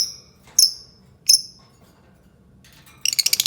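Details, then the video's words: Albino lovebird giving three sharp, shrill chirps that fall quickly in pitch, spaced about a second apart, then a burst of fast, buzzy chattering at the end; faint low hum in the background. "Suara Burung Lovebird Albino"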